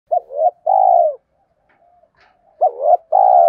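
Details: Spotted dove cooing, used as a lure to draw wild doves in: two-part coo, a short rising note then a longer falling note, given twice, with faint softer murmurs between.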